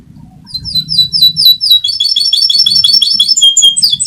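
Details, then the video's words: Fighter canary rolling song used as a master for canaries gone quiet; bright chirps build into quick repeated downward-sliding notes and tight high trills, with a faint low hum underneath. "Burung canary fighter || Suara ngeroll || Cocok sekali untuk masteran || canary mandek.!"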